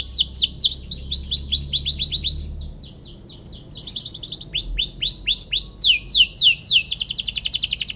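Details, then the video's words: Long canary song meant to stir emotion in opponent birds: bright repeated swooping chirps in quick phrases, a brief dip in loudness, then faster rising and falling chirp runs and a buzzing trill. "KENARI GACOR PANJANG CUIT CUIT PANCING EMOSI LAWAN BIKIN NYAUT DAN GACOR |° CANARY SINGING"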